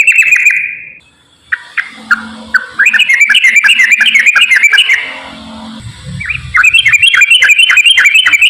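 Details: Yellow-vented bulbul giving long "gacor ropel" song as a lure for bulbuls that sing little: bursts of fast, bright whistled notes. A brief quiet gap and some low background rumble break the run.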